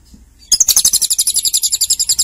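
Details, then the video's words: Lovebird in Cililin starting a rapid, high-pitched pulsed trill of chirps that continues steadily to the end. "Love Bird Berasa Cililin"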